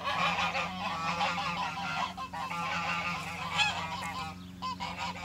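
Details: A flock of geese on a farm with chickens in spring honks and gabbles almost continuously, nasal overlapping calls, with a steady low hum beneath.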